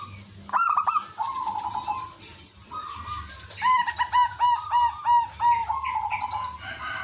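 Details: Local zebra dove (merbok kampung) singing vigorously from a perch, used as a lure to draw answering doves. Two faint introductory notes, then a rapid string of staccato, rhythmic cooing notes on one mid pitch, repeated about three per second.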